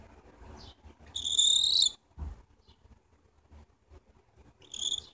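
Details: A pet cockatiel enjoying being petted gives a loud, shrill, slightly rising whistled call, then a shorter one moments later.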